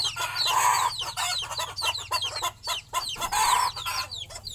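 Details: Mother hen and her young chicks settling for the night on a nest perch: dense, overlapping high peeping from the chicks with brief lower clucking from the hen, in two loud bursts separated by a quieter stretch.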